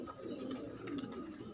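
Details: A short burst of low, warbling pigeon coos from a kept flock, overlapping and continuous, with light clicks.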